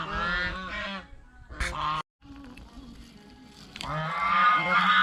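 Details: Geese at a fish pond, eating bread and fresh vegetables, give a strong nasal honk, then quieter scattered calls and a brief silence, before loud buzzy honking resumes.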